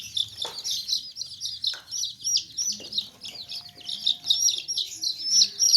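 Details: Baby chicks in a basket give rapid, high, shrill peeps, nearly three a second, forming a steady chorus with a few faint low clucks.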